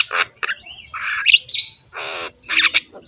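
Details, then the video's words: Javan myna in full song, harsh rough voice with rich varied phrases, head-bobbing: a loud mix of broadband squawks, brief whistled notes and buzzy rattles, separated by short pauses. "BURUNG JALAK KEBO GACOR SUARA KASAR, MANGGUT-MANGGUT FULL ISIAN MEWAH"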